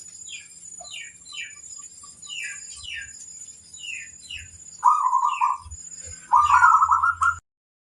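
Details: Another small bird first gives a run of high, downslurred chirps. Then a local zebra dove, singing to challenge rivals, answers with two loud, burry trilled coo phrases.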